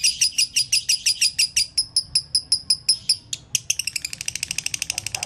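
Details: Konslet-style song of a lively lovebird, recorded as a master for training other lovebirds: quick, piercing high chirps in a long series, a brief pause, then an accelerating rattle of tightly packed chirps.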